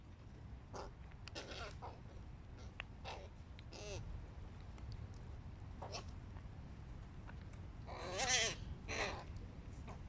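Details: Hooded crows, young birds competing with adults, giving a busy series of harsh, hoarse caws from several birds, some drawn-out and wavering, the loudest burst near the end, over a steady low background rumble.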